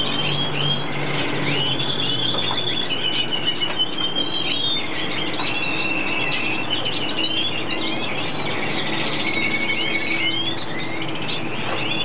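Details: Red siskin, known locally as cardenalito de Venezuela, in its breeding period; busy high twittering chirps and short rising and falling whistles, overlapping throughout, with a steady low hum underneath.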